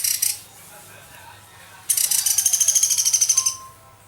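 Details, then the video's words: Young woodpecker, recorded as a master recording for training songbirds, gives a brief high rattle, then a fast run of about twenty sharp, evenly repeated high pulses lasting some two seconds, with quiet pauses around them. "Suara Pelatuk Beras Gacor Buat Masteran"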